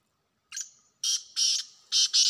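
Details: Black francolin in the wild with a grating, creaky phrase: a soft introductory note trailing into a thin whistle, then two strong rasping notes and a final quick pair.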